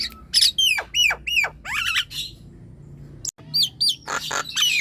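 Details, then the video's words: Captive Nias hill myna in full song, meant to stir quiet birds into singing: series of clear falling whistles, then harsh raspy squawks, a brief pause and a click, followed by more loud screechy notes. "JALAK NIAS DI RUMAH MALAS BUNYI⁉️ COBA PUTARKAN SUARA INI"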